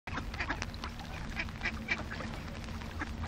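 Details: About fifty hungry ducks calling together: dense overlapping nasal quacks, several a second, over a steady low rumble of background noise.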